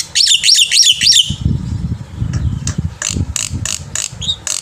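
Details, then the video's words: Black-winged myna singing energetically in the morning as a tutor for young birds: a quick run of bright, zigzagging whistled notes, then a low rumble with scattered sharp clicks and short buzzy bursts. "jalak putih gacor pagi hari untuk masteran burung jalak muda - paud dan anakan agar cepat bunyi"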